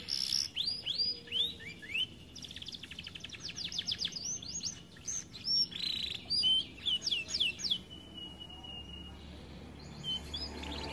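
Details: Caged canary said to sing rarely because it is too fat, producing a varied song of whistled upslurs, quick buzzy trills and clipped repeated notes, ending in a steady tone.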